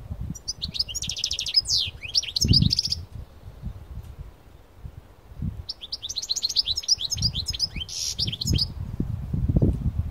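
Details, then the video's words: European goldfinch of the parva type, taken outdoors into nature to sing: two bursts of rapid, high twittering song with buzzy trills and quick chirps, a silent gap between, over low rumbling wind-like noise. "تغريد حسون بارفا قوة نار"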